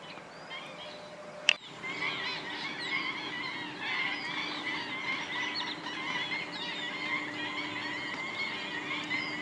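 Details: Flock of black-winged stilts among thousands of migratory wetland birds at Gathera bird sanctuary, Gujarat, India; dense overlapping chorus of yelping, nasal calls stacked in harmonics, continuous throughout, preceded by a single sharp click.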